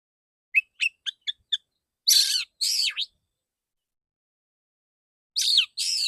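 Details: Male white-rumped shama in a training session, singing clear open shots: a run of five short sharp chirps, then loud buzzy swooping phrases, a pause, and two more harsh rasping bursts.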